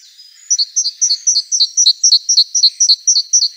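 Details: Great tit repeating a fast, very regular high two-note phrase, roughly four times per second, bright and piercing, over a faint background hiss.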